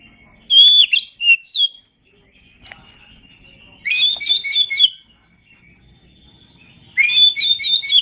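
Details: Kacer, oriental magpie-robin, masteran song: three bursts of rich, dense whistled and chattering phrases separated by quiet gaps with faint low indoor background murmur.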